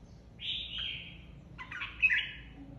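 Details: Competitive song of a red-whiskered bulbul, a flock leader just taken out of its aviary: a smooth, slightly falling whistled phrase, a pause, then a busier, rippling phrase ending in a bright, sliding note.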